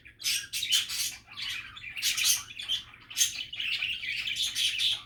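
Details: Happy budgie chatter: loud raspy chirps and twittering warbles in close, overlapping bursts, near continuous, over a faint steady hum.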